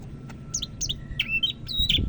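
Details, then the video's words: Greater green leafbird from Medan, North Sumatra, a kept songbird singing loudly and steadily: a few thin, sharp whistled notes, then clear bright phrases, some sliding and some held, over a low background rumble. "Burung Cak Ijo Medan Gacor"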